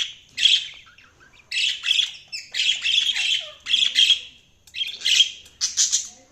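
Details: Budgerigars chirping: harsh, scratchy squawking bursts high in pitch, about one per second in uneven rhythm, with short pauses of near silence between them.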